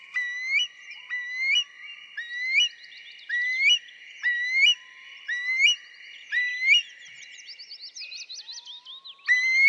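Eurasian curlew giving rising, whistled 'cur-lee' notes about once a second, breaking into quicker bubbling notes near the end; small birds chirp faintly above.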